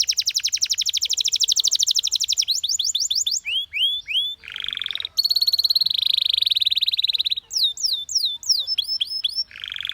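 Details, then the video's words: Canary song with rapid buzzing trills alternating with steady held tones and sweeping whistled phrases, sections switching abruptly every second or two. "The Most Beautiful Canary Chirping Sounds"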